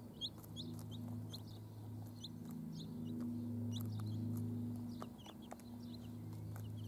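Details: High, short cheeps from chicks accompanying hens scatter across the recording, set against a loud continuous low hum and occasional clicks.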